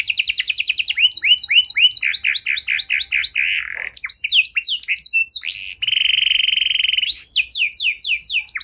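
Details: Caged canary singing a long, loud song with special melodic turns, used to prompt silent canaries to sing again: rapid runs of repeated sweeping notes, a sustained buzzy note, then fast trills of high chirps.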